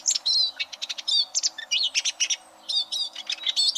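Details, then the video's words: A Eurasian siskin sings high, quick twittering phrases of chirps and slurred whistles, with a brief pause midway. The song is used to train competition canaries. "Suara Burung Eurasian Siskin Untuk Masteran Kenari Lomba"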